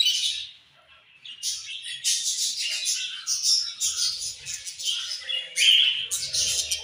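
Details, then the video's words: Chirping from several colorful budgies: fast, buzzy, high twitters in continuous bursts after a short quiet moment near the start, with faint low rumble in the background. "Colorful Charming Budgies Chirping Sounds"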